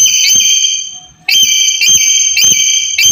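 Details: Black-capped lory calling loudly, used as a lure for a bird reluctant to call: a rapid series of piercing, shrill, whistled notes, about five in three seconds, each starting with a sharp attack.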